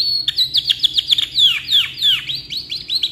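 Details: Energetic canary singing a long tutoring song: a rapid run of sharp downward-slurred whistled notes, roughly three or four per second, high and bright throughout.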